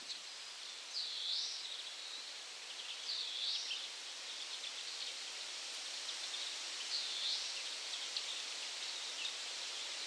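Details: Spotted flycatcher recorded 25 June 2017 at 51.919831, 20.144368: thin, high, short calls, four in ten seconds at irregular gaps, over a steady hiss of background noise.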